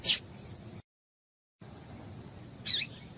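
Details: Two brief, high, thin call notes from a female double-collared seedeater (coleiro), about two and a half seconds apart, over faint background hiss; a female call played to stimulate males into singing.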